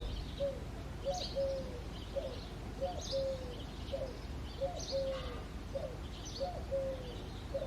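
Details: Eurasian collared dove singing in the early foggy morning in February: repeated three-note cooing phrases, a short note, a longer drawn-out middle note and a clipped end, about every 1.7 seconds, with faint high chirps of other birds.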